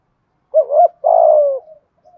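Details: Spotted dove cooing to stir wild doves into calling: a quick rising double coo, then a long buzzy coo that drifts downward, followed by a faint trailing murmur.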